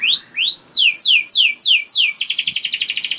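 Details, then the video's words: Canary song meant to stimulate other canaries to sing: two rising whistled notes, five falling slurred whistles about every quarter second, then a rapid rattling double-toned trill. "Langsung Nyaut Gacor Dor Kenari Apa Pun Dengan Pancingan Kenar Gacor Ini || Voice of Canary"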